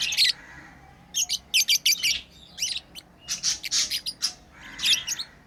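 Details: Pet lovebirds playing, giving sharp, shrill chirps in quick bursts, some grouped two or three together, with brief quiet gaps between them.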